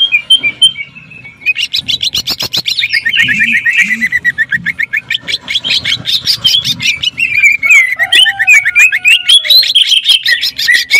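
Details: Greater green leafbird, cucak ijo, jamtrok tembakan song likened to a sewing machine: a long, relentless chatter of fast clipped notes with wavering pitch, broken by short whistled slurs and a faint low tone.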